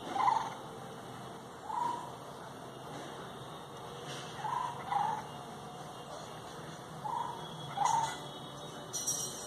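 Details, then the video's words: Birds calling in rural Bengal: short mid-pitched warbled notes repeated at irregular intervals, with a steady high electrical-like hum and faint background noise. "গ্রামবাংলার পাখির ডাক"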